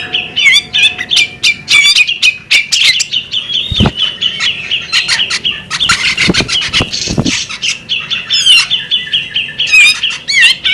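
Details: Female bearded magpie robin chattering in quick, high twittering phrases mixed with short whistled upslurs, broken by a few dull low knocks.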